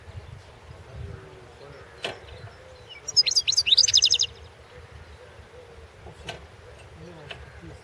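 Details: Competition recording of a European goldfinch from the 2016 world championship in goldfinch song: a single burst of about a second of fast, high, tinkling twitters, surrounded by quiet background with occasional clicks and faint low rumble.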